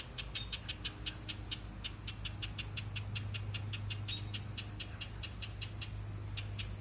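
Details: Parent house wrens scold to warn an intruder away from their nest of hatchlings, likely two days old: harsh, buzzy chatter repeated three or four times a second over a low mechanical hum, with thin high chirps, possibly the chicks.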